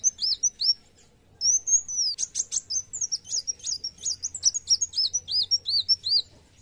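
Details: Kolibri wulung sunbird singing vigorously: rapid, high, thin chirps and short up-and-down whistled notes, several sharp ticking bursts, a brief pause near the start, then a dense, lively run of repeated twittering phrases to the end.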